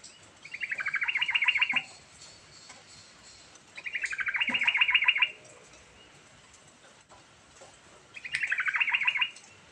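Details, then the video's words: Rolling, varied song of a prolific yellow-vented bulbul, played to get a quiet bulbul singing again: three loud, evenly paced chattering bursts of rapid pulses, about three seconds apart, on a clean background. "Burung Trucukan Gacor Ngerol Isian Variasi Sangat Ampuh Buat Pancingan Trucuk Macet Bunyi"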